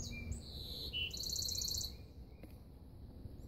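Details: A possible golden-cheeked warbler gives a short song of very high, thin buzzy notes, then a quick buzzy trill lasting under a second, over a low steady rumble.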